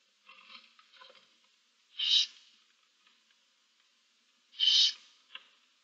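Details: Barn owls nesting in a box, one adult and seven owlets, recorded 15 March 2024: two loud rasping hisses about two and a half seconds apart, preceded by softer scratchy hissing and followed by a short faint rasp.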